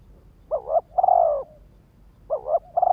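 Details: Decoy spotted dove calling to trigger males: two low coo phrases, each a wobbling double note leading into a longer resonant hoot, about 1.8 seconds apart.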